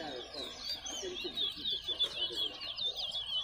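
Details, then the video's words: Chestnut-bellied seed finch (towa towa) competing in a bird singing race at Lusignan bird ground, Guyana, delivers a rapid, sweet warbling song of high twittering phrases, with lower chirps and a man counting aloud in the background. "Towa Towa Bird Race"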